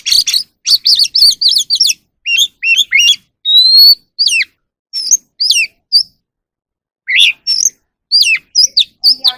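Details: Evening song of a wild oriental magpie-robin as it sings and displays: clear whistles and sharp slurred notes in quick clusters, including a long rising whistle, with gaps of a second or more between phrases.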